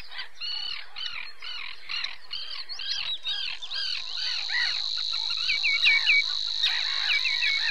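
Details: Common sandpiper at Mutěnice, 22 April 2019: high, thin piping notes in quick runs over a dense burst of chattering chirps and a steady high hiss of insects.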